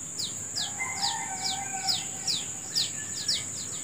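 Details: Birds calling in the morning among natural sounds: sharp, high downslurred chirps repeated roughly twice a second, with thin steady whistles lower down, over a constant high-pitched insect drone.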